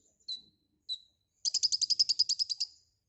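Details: White-rumped shama in lively 'gacor full isian' song: two short sharp falling notes followed by a rapid, evenly paced series of about fifteen buzzy chirps.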